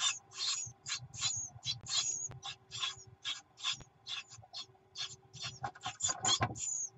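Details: Great tit nestlings in a nest on 24 June 2019 give rapid, hissy, high-pitched begging calls, about two or three per second, with a low background hum. They beg when the mother brings food.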